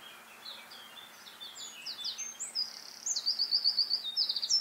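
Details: Eurasian wren building from soft scattered high notes into a loud, rapid series of chirps and fast rattling trills, a shrill tumbling song.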